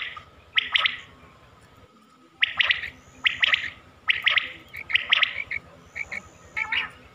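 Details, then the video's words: Quail voice from a Mianwali hunting recording: a chirp pair, a short pause, then five evenly spaced clusters of sharp bright notes, about one per second, with a faint background whine. "batair ki awaz 2023"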